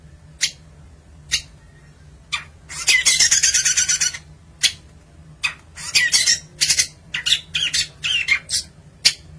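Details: Long-tailed shrike kept as a songbird in Indonesia giving sharp isolated clicks, then a grating buzzy burst lasting about a second, then a fast series of short harsh chatters and thin squeaks.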